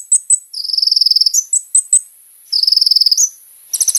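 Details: Kolibri ninja sunbird singing vigorously, played as a lure: sharp high chips followed by long buzzy rattling trills lasting about half a second, repeated, ending in a burst of bright high notes; steady hiss behind.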